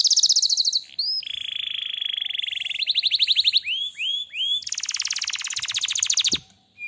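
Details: Gacor canary singing: a high rattling trill, a long steady buzzy note, quickening pulses, several curved whistles, then another long fast trill, with faint low background rumble.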